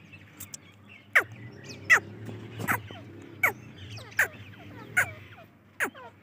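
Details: Grey francolin (dakhni teetar) giving loud, sharp, downward-slurred notes about every three-quarters of a second, a steady rhythmic series over low rumbling background noise.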